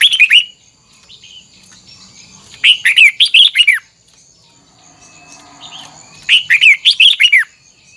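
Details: Red-whiskered bulbul training its double-note song, delivering loud phrases of six or seven rapid downslurred whistled notes, repeated about every three and a half seconds, with quiet chips between.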